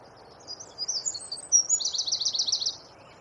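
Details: Wren singing a rapid 'tembakan' song for songbird training: high thin slurred notes building into a fast, steady trill of repeated high notes, over a low background hiss.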